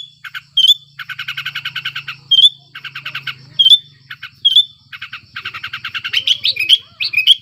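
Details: Breeding-condition sooty-headed bulbul used to lure lazy bulbuls into singing: rapid dry chattering bursts alternate with clear, sharp whistled notes, ending in a run of quick rising whistles, with a soft low hum beneath.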